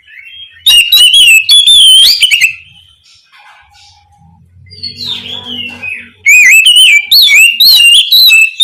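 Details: Oriental magpie-robin (kacer) calling to its companion, giving two bursts of rapid loud whistled and warbled phrases separated by a quieter gap with soft whistles and a faint low hum.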